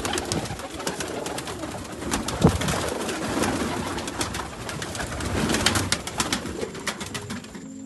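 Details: Domestic pigeon of the rare Sialkoti breed from Sialkot, low soft coos rising and falling a few times beneath steady rustling and scratchy noise in an enclosed space, other pigeons likely murmuring nearby.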